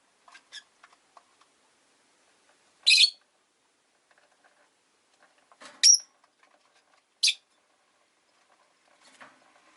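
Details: Pet rosy-faced lovebirds, five kept in a cage by a window in winter, give a few sharp, shrill chirps spaced several seconds apart, with short silences and faint soft clicks between them.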